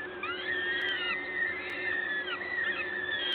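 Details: Peregrine falcon nest in Gdańsk, Poland, mid-morning on 14 May 2022 while a parent feeds: several stretched, wavering wheezy cries layered on one another with hardly a gap, steady hum beneath.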